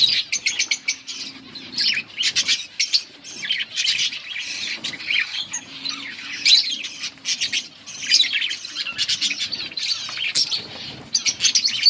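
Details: Budgerigars at a breeding setup feeding young: choppy bursts of sharp, high chirps and warbling chatter, several birds calling together with frequent short breaks.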